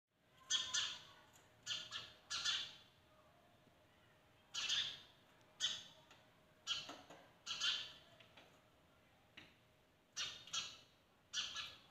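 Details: Sparrows at a window in the morning give harsh, chirping squawks in short bursts, about a dozen spread unevenly over twelve seconds, with a faint steady hum underneath.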